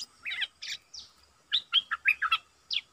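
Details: Decoy red-eyed bulbul singing at wild birds. A jumble of quick chirpy and slurred whistled notes in uneven groups, with a low background hum.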